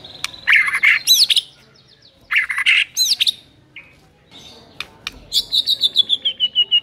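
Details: Provoking song of murai batu, the white-rumped shama, aimed at a lazy bird: dense harsh bursts repeated twice, then a descending run of quick high notes about three per second.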